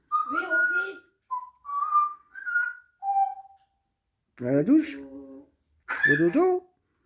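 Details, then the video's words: Pet grey parrot indoors, described as less talkative on camera: a sequence of short, pure whistled notes at varying pitches, then two harsher, voice-like calls rich in harmonics. "Mon gris et moins bavard face cam"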